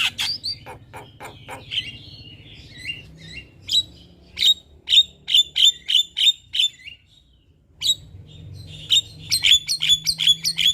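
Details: Javan myna singing energetically in the morning, used as tutor and lure calls for other mynas: loud, sharp, clipped chirps in rapid uneven bursts, roughly two to three per second, with short pauses and a faint low hum underneath.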